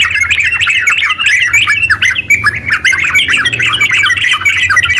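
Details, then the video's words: Sooty-headed bulbul delivering fast 'ropel' song intended to make other bulbuls sing; quick, jumbled chirps and short slurred notes in a lively, continuous chatter with tiny gaps. "TERUCk gacor ropel panjang buat pancingan terucu biar bunyi"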